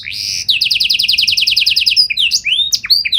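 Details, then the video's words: Canary singing a held whistle, then a rhythmic string of about twelve repeated slurred notes, followed by sharp chirps and swooping whistles in quick succession. "Burung Kenari Gacor Nembak Joss Cengkok Istimewa! Buat Kenari Lain Langsung Nyaut Gak Pake Lama"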